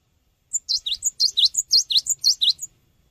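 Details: Cinereous tit singing a lure song for training birds: a rapid string of high, clear notes alternating a sharp upper chip with a swooping V-shaped whistle, about a dozen notes in two seconds, background quiet.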